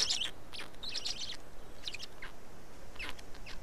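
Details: Black stork at its nest in Estonia during a feeding, 19 May 2019 at 15:43; short hoarse, hissing bursts come in clusters, with a longer raspy run near the start and separate bursts spaced through the rest.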